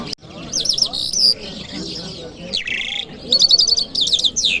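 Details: A lark sings on a Friday morning in Kabul city, a fast, continuous, high-pitched warble of rolling trills and quick repeated chirps, over faint low background noise.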